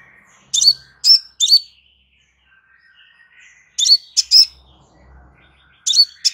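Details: Crimson sunbird recorded as a calm master for training birds: three sets of sharp, high, clipped chips separated by quiet gaps holding faint, lower whistled tones.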